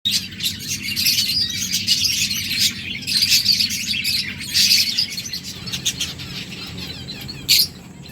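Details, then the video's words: Lovebirds chirping while eating food, recorded July 31, 2024: dense, high, scratchy chirps and twitters running almost continuously, with louder bursts near the fourth and fifth seconds and a sharp final chirp, over a low steady hum. "Lovebirds chirping sounds birds eating food"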